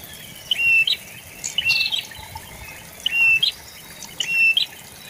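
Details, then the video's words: Prinia, locally prenjak lumut, repeating clear high whistles that hold steady then flick upward, given in pairs about every one and a half seconds over a quiet, faintly hissing background. "BURUNG PRENJAK BAWAH / LUMUT"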